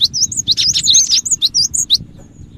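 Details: Cinereous tit (gelatik batu), a lure recording for other birds: a rapid two-second string of high, thin whistled chirps and twittering notes, some overlapping, before falling quiet.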